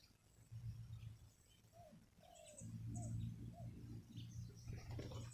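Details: Wild spotted dove with a big, full voice at a ground decoy arena. It gives a run of short, arched, mellow coo notes over about two seconds, with a steady low rumbling hum beneath.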